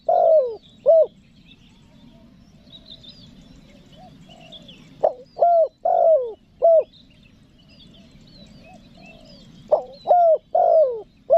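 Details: Spotted dove coo used for luring wild doves from the forest: soft low coos delivered in short bursts of three to four notes, with pauses between phrases and faint higher bird chatter behind.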